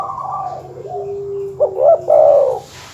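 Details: Dove cooing to provoke rivals: a faint leading phrase and a steady low tone, then quick clipped coos and a louder rolling, warbled finish.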